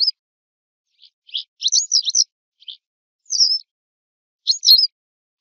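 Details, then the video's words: Western yellow wagtail (Motacilla flava) uttering a burst of high, thin, squeaky chirps run closely together, then isolated slurred notes after pauses, each note sweeping sharply in pitch; no other sounds stand out. "صوت ذعرة صفراء song call wastern yellow wagtail"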